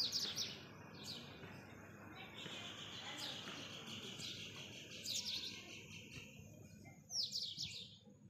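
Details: Blue rock thrush singing on a February morning at 08:28 along a ring road near Urun Islampur, Sangli, Maharashtra; high, sweet whistled phrases and chirps, several descending notes, against faint background hum.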